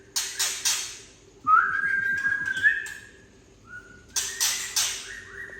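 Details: Harsh trek from a Tangse white-rumped shama, used to rouse young birds: raspy broadband bursts open and close the clip, with a steady whistled note and a short quieter whistle between them.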